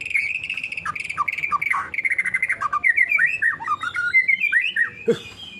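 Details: White-rumped shama (murai batu) from Indonesia, said to have forgotten how to do its 'nembak' shooting notes properly, pours out a varied whistled song of bright warbling phrases, slurred notes and rapid trills, ending with a sharp harsh chip.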